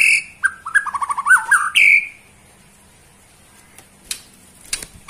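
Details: Bornean white-rumped shama giving a quick run of repeated descending notes ending in a bright whistle, followed by near silence with faint clicks.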